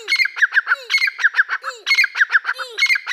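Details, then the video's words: Dakkni partridge with young Irani partridges: grating, squawking phrases of several rapid harsh notes. Each phrase repeats about every second, and soft low slurred notes fall between the phrases. "Dakkni Teetar ki Awaz"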